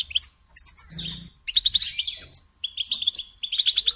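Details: European goldfinch song in short bursts of tinkling, twittering notes broken by brief pauses, with higher buzzy accents mixed into each phrase and a brief low hum in the first second.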